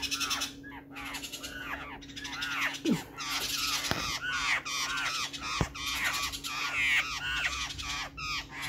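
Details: Black-faced laughingthrush recorded June 12, 2020, giving busy, overlapping chattering notes, each a quick rising-and-falling squeal, repeated almost without pause, over a steady low electrical hum.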